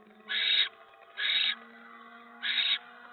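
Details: Barn owl at its nest when a mouse arrives, 10 November 2017, evening: three rasping, breathy screeches, the first two close together and a third after a longer pause, over a low hum.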